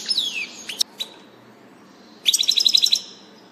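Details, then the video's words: European goldfinch in early April 2019 with a soft opening of high twitters and a descending slurred whistle, a few sharp clicks, then a brisk burst of evenly spaced tinkling notes. "Distelfink Stieglitz"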